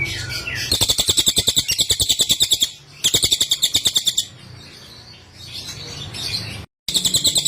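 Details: Cililin (Sunda whistling thrush) song recorded for training cage birds: bursts of fast, high, buzzy chattering notes at about three per second, broken by short gaps, with a background hum and clicks.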